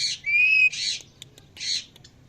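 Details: Parrot at evening giving a steady whistled note between two rough, noisy squawks, followed by soft clicks.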